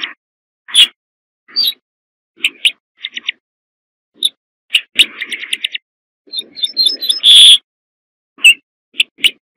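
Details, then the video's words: Corn bunting: scattered sharp ticks, then a quickening jangle of high notes ending in a dry, buzzy rattle like shaken keys. "صوت درسة الشعير"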